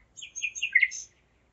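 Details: Common nightingale singing at 01:55 at night on 5 May 2017 in Zeitz, Germany; one short phrase of quick, varied chirping notes that climb and fall, ending in a brighter high note, in a quiet night.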